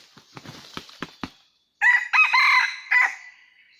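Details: Wild red junglefowl of rocky mountain country, trapping scene dated 17 March 2019. A run of short dry clicking clucks, a brief pause, then a loud raspy crow in four chopped segments.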